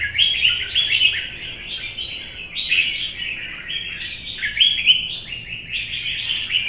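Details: Red-whiskered bulbul, a caged wild-caught adult, in a morning singing duel in the sun: a series of short, downslurred whistled phrases, each sliding lower, repeated in quick succession with a few sharp high accents.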